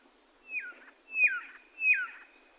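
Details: Three clear whistles from a red-lored whistler, each a level tone ending in a steep downward slide, spaced about two-thirds of a second apart over quiet background hiss.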